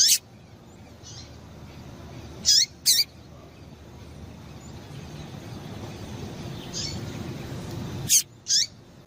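A female double-collared seedeater gives brief, high, thin chirps, often in quick pairs, separated by pauses of several seconds, over a steady low rumble.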